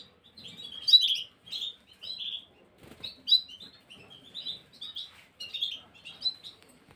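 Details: Gloster canary song recorded 9 January 2023: bursts of quick chirped and twittering notes, each burst lasting under a second, separated by brief pauses, with a few sharp higher chips mixed in.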